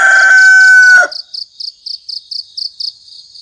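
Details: At dawn before the call to prayer, a rooster's crow ends in a loud, drawn-out held note. Then a cricket chirps steadily, about four high pulses a second.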